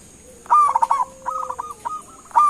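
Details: Local perkutut, a zebra dove, calling so other doves answer: a loud tremulous coo burst, then a string of short, level coos, ending with another strong bubbling note over constant hiss.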